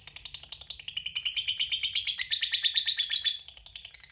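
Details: Lovebird singing a prized long 'ngekek panjang' trill: a fast, high, chattering series of sharp notes, about three per second at first, then speeding into a dense buzzing run for over two seconds before tapering off.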